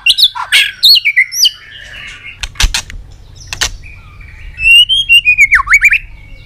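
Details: Excited White-rumped shama, tail flicking, giving varied whistled phrases and sharp clicks, then a fast burst of rhythmic notes and a long wavering whistle dipping low.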